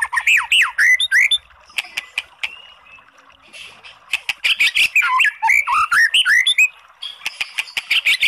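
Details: Oriental magpie-robin song meant to excite a reluctant bird into answering: dense bursts of varied whistled and twisting notes with sharp clicks, broken by a short quiet gap.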